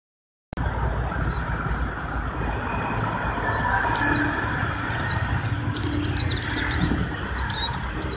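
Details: Mountain white-eye, long-duration song for training other birds: rapid high thin descending whistled notes and sharp chips, repeated in quick series, over a steady low rumbling background hum.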